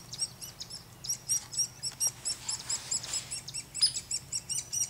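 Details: Young Hairy Woodpeckers calling from a tree nest hole in a front yard while the male and female parents feed them; rapid, high, thin chirping pulses in an almost continuous chatter over a low background hum.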